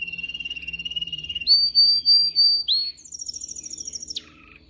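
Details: Training song of a canary: a steady fine trill, then four long pure whistles, a fast high rattle, and a closing downward slur.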